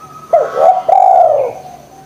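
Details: [['Spotted dove, used as a lure for lazy doves: a brief clipped coo followed by a longer, smooth, hoarse coo that holds level and then trails off.']]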